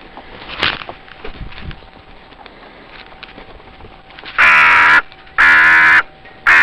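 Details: Crows at a zoo on Pentecost Sunday morning: after quiet background rustling, three loud harsh caws come in steady succession about a second apart, each hoarse and drawn out.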